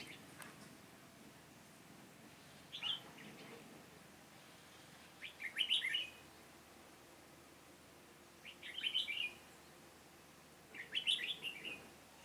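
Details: Red-whiskered bulbul used as a decoy in a trap to lure wild birds, Hòa Bình, Vietnam, 18 November 2017; four short chirpy, warbling phrases spaced two to three seconds apart over quiet background.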